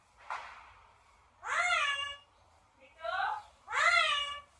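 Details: A pet parrot gives a faint opening squeak, then three strong, drawn-out harmonic calls that bend downward, each about half a second long, with short pauses between.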